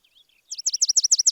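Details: Sparrow calling: a few soft, thin warbling notes open the clip, then a quick burst of loud, sharp high chirps repeated steadily several times a second.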